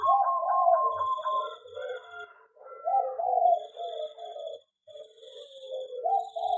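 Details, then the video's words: Local zebra dove in an aviary sings repeated mellow cooing phrases, each a rolling, slightly quavering run of low notes separated by short pauses, several phrases in succession; a faint steady high tone in the background. "perkutut di aviary lebih cepat gacor dan bunyi"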